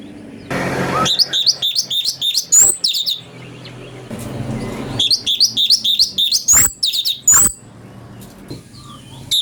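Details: Ashy bulbul song recorded for training magpie-robins: after a noisy start, bursts of quick chirping whistles with occasional rising, clearer notes, interrupted by a soft pause and fading to quiet.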